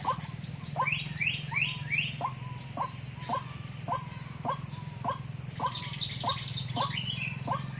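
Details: White-breasted waterhen recorded in the wild, played to lure waterhens into traps: harsh croaking notes roughly every half second, mixed with higher, rising squeaky notes, over a constant faint electronic tone.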